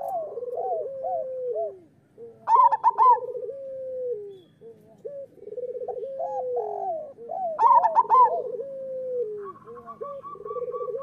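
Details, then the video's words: Local zebra doves' master song, aimed at getting lazy doves to sing. Two bright, quick trilled coo bursts stand out amid continuous layered cooing, with a steady flat tone near the end. "Perkutut lokal gacor Suara Masteran Burung Perkutut Paling Ampuh"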